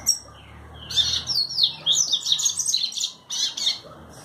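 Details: Continuous high, scratchy twittering from a double-collared seedeater in the trovão style. Rapid slurred notes run in bursts for about three seconds, with a brief gap before a final flourish.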